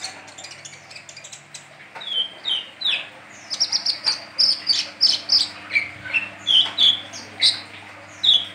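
Brown-throated sunbird giving a lively run of high, sharp chirps and short twittering notes, two or three each second, over a faint low hum.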